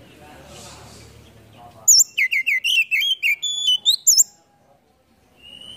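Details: Oriental magpie-robin in full fill-in song with spread tail, used to spur silent birds into singing: after a soft hiss, a dense burst of high looping whistles and slurred trills for about two seconds.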